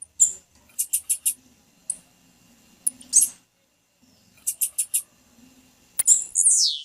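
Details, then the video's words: Male blue-black grassquit giving its leap song alongside a female's calls meant to excite him: clusters of four or five sharp, very high buzzy notes, isolated chips, and a long descending squealing sweep at the end. "Tiziu Cantando para Esquentar tiziu com Piado de fêmea de tiziu fit - Tiziu cantando de Pulo"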